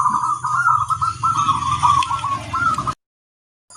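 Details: Zebra dove song on a training recording for getting birds to sing. A continuous rolling, cooing trill sits over a steady low rumble and cuts off abruptly before the end.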